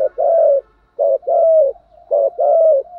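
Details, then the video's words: Spotted dove cooing, used to stimulate caged birds in training; low hollow coos in three phrases, each a short note followed by a longer drawn-out coo, repeated about once a second. "cu gáy gù thúc, tiếng chim cu gáy kích bổi nhanh nổi"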